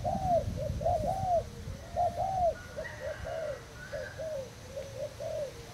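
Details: Decoy spotted dove of Thai stock, 18 June 2018, cooing in a rolling series of rounded notes that grow shorter and softer toward the end; a faint higher bird call sounds midway.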